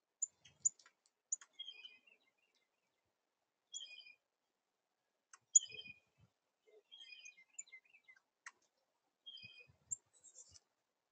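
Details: Northern cardinal pair with the male feeding the female; soft, sharp, high chips and brief twittering notes come in scattered clusters every few seconds, with faint clicks against a quiet background.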